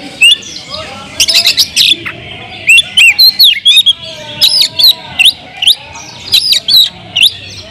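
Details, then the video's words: Loud provocative song of a kept Oriental magpie-robin: rapid clusters of sharp chips and looping whistled notes, repeated in bursts, with a soft wavering lower whistle audible between phrases. "kacer gacor‼️suara kicau burung Kacer kemrayak biar kacer lain konslet"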